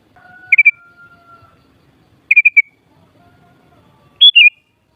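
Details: Three short phrases from a sooty-headed bulbul: quick triple chip notes twice, then a rising and falling bubbly warble, spaced about two seconds apart over a faint hum.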